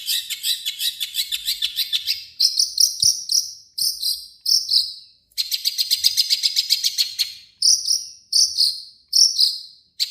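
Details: Long-tailed shrike in full, harsh song, used as a lure to make other shrikes sing: rapid scratchy chattering runs alternating with short, high, slurred whistled notes, in bursts broken by brief pauses.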